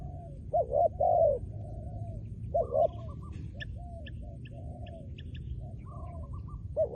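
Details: Trained decoy spotted dove gives bursts of deep, throaty double coos, then quieter distant coos and faint high chips and whistles from other birds over a low background hum.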